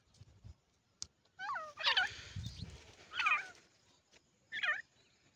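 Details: Calls of grey francolin chicks: three clusters of bright, bending notes sliding downward, roughly one second apart, over a faint background hiss.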